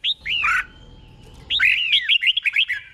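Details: Red-whiskered bulbul tutor song for training caged birds: a few downslurred whistles and a burst, a short pause, then a quick chattering run of bright chirped notes.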